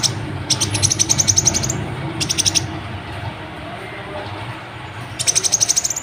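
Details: Kolibri ninja sunbird in constant, chatty song meant to stir other birds to sing. Three bursts of rapid, evenly pulsed, very high trilled notes, each lasting about a second, with a low background hum.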